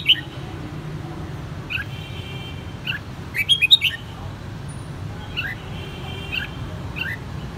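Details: Kept red-whiskered bulbul in Saigon, Vietnam, raised from the white-cheeked juvenile stage: spaced chirps with a tight burst of loud rapid notes midway, and a faint whistled tone underneath, over low hum.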